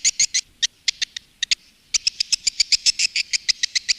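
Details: Swiftlet calling and roosting sounds used by swiftlet farmers in Indonesia: short, sharp, high chirps in uneven bursts, with a brief pause near the middle before a faster, steady run of about five chirps per second.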